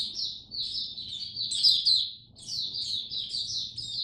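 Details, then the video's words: Oriental white-eye kept in a cage, singing 'buka sing raja' in cold rainy weather: a short, unbroken stream of sweet high twitters, brightest in the middle, over a faint low background hum. "Mata Puteh Buka Sing Raja"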